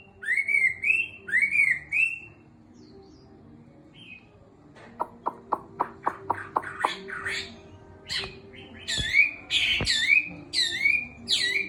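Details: Caged hwamei of six months, beginning to sing strongly again after molting: looping whistled phrases, a quiet gap, a rapid train of clicks, then loud buzzy whistles repeated in quick succession.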